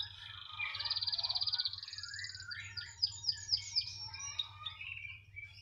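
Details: Canary said to sing tirelessly anywhere: a long, fast, even trill gives way to a series of sharp descending whistled notes repeated about every third of a second, then softer chirps, over a low steady hum.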